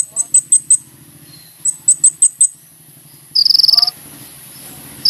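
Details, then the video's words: Sunbird singing lively, used as a lure to draw a response from other sunbirds: rapid high, dry trilled bursts in groups of four to five, with a buzzier high chatter near the end and a low steady hum beneath. "SUARA BURUNG KOLIBRI NINJA GACOR"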